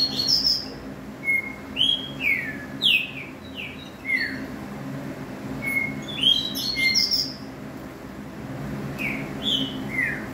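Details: Green-winged saltator song in two bursts of clear whistled notes, some descending, some rising, each phrase lasting about two seconds with pauses between, over a faint constant low hum.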